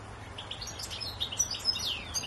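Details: A goldfinch singing in a tree: a quick run of high, bright twitters and liquid chirps, tumbling and uneven, over a faint low rumble.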